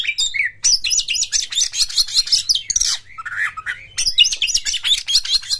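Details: Oriental magpie-robin (kacer) singing in the loud ngeplong style, used as a lure to get other magpie-robins singing: dense bursts of high, buzzy, rapidly varied notes alternating with lower whistled slurs, with short pauses between phrases.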